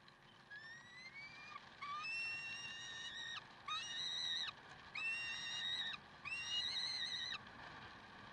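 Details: Peregrine falcons in Karlsruhe, 30 May 2010: a series of five long, harmonic, wailing calls, each lasting about a second and held fairly level with a slight rise, separated by short pauses, over a faint background hiss.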